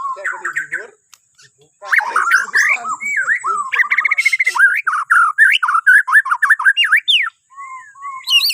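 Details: Bornean white-rumped shama singing a lively, varied run of whistled phrases, rising and falling slurs and quick chopped notes after a short pause, used to prompt other birds into morning song; faint steady high hiss behind.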